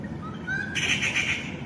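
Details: Rufous Treepie (Dendrocitta vagabunda), visiting a fig tree, gives a thin rising whistle, then a sudden harsh, raspy burst of chattering notes over a low background rumble.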